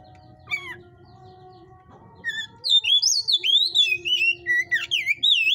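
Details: Breeder's caged white-rumped shama of the hot ('panas') type, filmed without editing: after a lone note, a fast, loud string of rising and falling whistles tumbles on steadily for about three seconds above a low mechanical hum.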